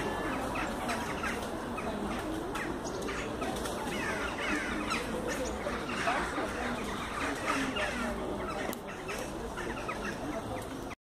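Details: Hundreds of crows gathering in a tree fill the air with a dense, continuous din of harsh, overlapping caws and croaks, with no single bird standing out.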